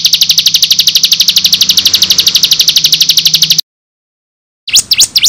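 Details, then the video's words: Bar-winged prinia lure song to make birds respond: a very fast, buzzy rattle of high repeated notes, then silence and a few sweeping V-shaped chirps. "Pancingan Ciblek Gacor Dijamin bikin Ciblek Langsung Nyaut"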